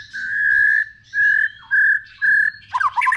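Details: White-rumped shama whistling, part of a multi-voiced song meant to excite other shamas: four drawn-out level whistles separated by short pauses, ending in a harsh, scratchy burst.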